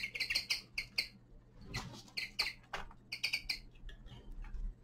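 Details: Young male common linnet kept as a cage bird in winter; bursts of short twittering notes with bright stacked overtones, in quick clusters separated by brief gaps, over faint low background hum.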